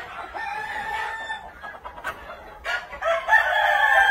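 Red Shouldered Yokohama chickens give two drawn-out, hoarse crows about two seconds apart, with faint clucking between them.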